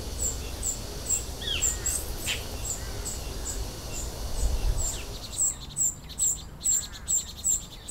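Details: Young common cuckoo, a brood parasite, being fed by its vinous-throated parrotbill foster parent; short, sharp, high notes repeat steadily, growing louder and more insistent in the closing seconds, with scattered chirps from other birds.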